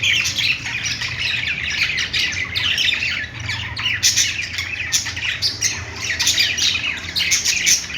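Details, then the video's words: Playing budgerigars keep up nonstop high chatter, a thick mix of warbled chirps and harsh squawks, with louder clustered outbursts in the second half and a soft low hum. "budgies playing sounds | parakeet chirping sounds"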